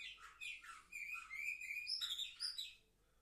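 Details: Young canaries, seven months old, recorded on 10 November 2023, sing a bright chattering song. Warbled notes rise and fall, then a steadier whistled phrase follows and fades out near the end.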